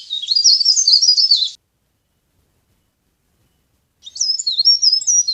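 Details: Leaf warbler call used to lure birds for trapping: rapid, squeaky, wavering notes in a bright high band, a short burst, a silence of over two seconds, then another run of twittering notes.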